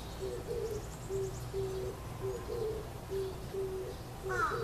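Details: Oriental turtle dove calling from a tree in Kyoto Gyoen, May 2014 among fresh greenery: low hoarse cooing phrases repeated in a steady rhythm, against a noisy background with a brief higher bird call near the end.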